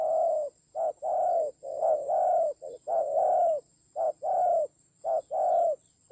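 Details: Decoy spotted dove in a fierce fight, Vietnam's Central Highlands, 19 October 2020: low, hoarse coos in short-then-long pairs, about one a second and fairly steady, with a constant high electronic whine behind.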